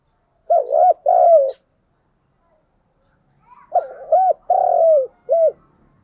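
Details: Spotted dove used as a decoy bird, calling in the morning: low hoarse cooing phrases, a short double coo then a longer drawn-out descending coo and a brief final note, repeated after a pause.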